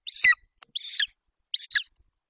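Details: Male golden eagle young on its Bucovina nest, 27 July 2021, vocalizing over a partial Eurasian hare brought in by its mother. Three harsh, high squealing calls, the first and last broken into two notes, separated by short silences.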